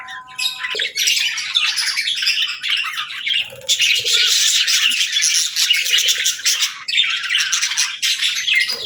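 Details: Happy, playful pet budgie chirping and singing: a steady stream of rapid, buzzy, scratchy warbles with short chirps mixed in, continuing almost without a break.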